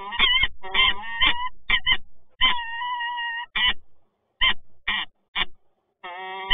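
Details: Resident peregrine falcons meeting at a Toruń power plant, Poland, 26 August 2022. Choppy, harsh calls are followed by a long steady wail. Sparse clipped notes come after a pause.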